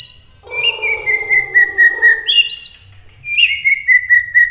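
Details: White-rumped shama (murai batu) of the Bahorok type, Medan, singing in the lively 'gacor roll tembak' style: long, steady whistled notes broken into quick pulses, with sharp upward-sliding whistles at the start and again midway, and softer lower warbling underneath.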